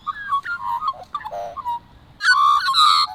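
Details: Australian magpie song, recorded over several months: soft varied fluting whistles and chortles first, a brief lull, then a loud rich, harmonic caroling phrase to finish.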